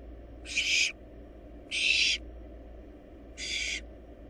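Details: In a monitored nest box, wild barn owl nestlings feeding on a rabbit utter three raspy, noisy screeches, half a second each, spaced over a second apart, the last one softer.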